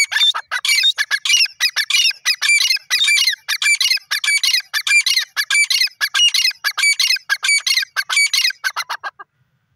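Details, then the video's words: Grey francolin calling in a dense, loud run of harsh, ringing high notes, nearly continuous for about nine seconds, then stopping abruptly. "grey francolin bird in enjoying,dakhni teetar ki best awaaz"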